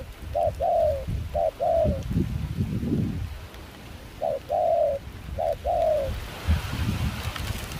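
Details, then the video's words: Caged wild-caught spotted dove used as a hunting decoy in Kon Tum, Vietnam, cooing in rain and chilly wind: two phrases of low mellow coos, each a short note then a longer slurred one, over heavy wind rumble. "Gác cu khi trời mưa gió se lạnh.bổi giọng pha nước ngoài chơi tốt"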